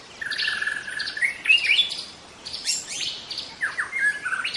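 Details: Forest-dwelling young wild white-rumped shama giving a lively song: a level whistled opening, then quick chirps, rising slurs and downslurred whistles in rapid succession.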